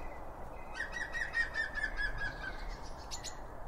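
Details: Blue tits gathered with other birds at a feeder: a steady, fast chattering rattle lasting about two seconds, fairly low and even, followed by a couple of sharp clicks over a dull noisy background.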